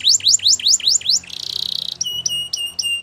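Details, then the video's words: Belgian canary singing a rapid series of falling slurred notes, a short buzzy trill, then clipped flat whistled notes with sharp onsets. "Belgian Canary Singing"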